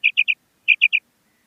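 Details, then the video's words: Calling female common quail gives two crisp triplets of sharp, high, clipped notes in quick succession, each group of three lasting about a third of a second, with silence around them. "Female Batair Ki Awaz|Maadi Batair Ki Awaz new| Common Female Quail Calling"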